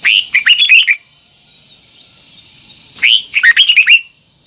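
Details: Red-whiskered bulbul, an old wild-caught bird, singing the twisted double-note style used for voice training: two rapid, bright warbled phrases about three seconds apart, each a quick run of rising and falling notes, over a steady high whine.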